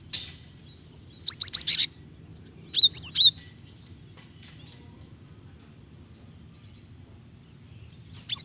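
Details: Female Java sparrow, calling a male and used to trigger singing, gives two quick bursts of high clipped chirps early on, a long lull, then a brief final note, over low hum.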